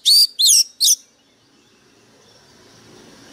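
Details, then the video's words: A fired-up Oriental magpie-robin singing very harshly gives three loud, harsh, high notes in quick succession, each sweeping in pitch, then falls silent with only faint background hiss. "Chòe than mồi căng lửa bắn giọng cực gắt"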